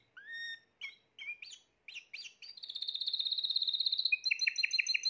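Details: Spanish Timbrado canary, a 2020 young bird, sings a varied run of high whistled notes, then a fast, even metallic trill and a string of bright repeated chirps.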